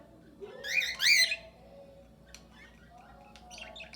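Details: Cockatiels in a shared aviary with budgerigars, birds at ease and calling naturally: two loud warbling, wavering squawks back to back, followed by softer chirps and faint chatter from other birds.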